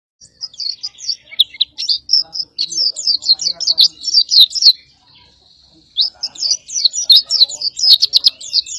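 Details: Oriental white-eye of the dakun type, recorded as a master song for training competition birds: rapid high twittering phrases of sharp chirps and trills, a brief steady thin note near the fifth second, then another dense twittering burst.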